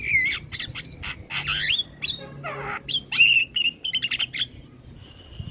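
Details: Master recording of Javan myna song for training mynas to sing: shrill whistles, scratchy bursts and a run of sharp clipped notes, ending in a sustained high tone.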